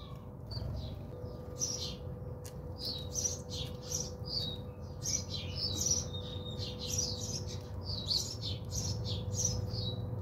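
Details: House sparrows bathing at a home in South Africa: a busy stream of short, high chirps and tweets, many overlapping, with a low steady hum underneath.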